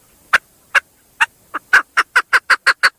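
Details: Female chukar starts with spaced single clucks, then accelerates into a quick regular run of sharp chuk notes.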